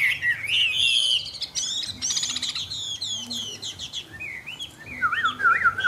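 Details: Chinese hwamei in a cage giving varied song: bright whistled slurs at first, then a burst of rapid, harsh clicking notes, ending in loud looping whistles that rise and dip.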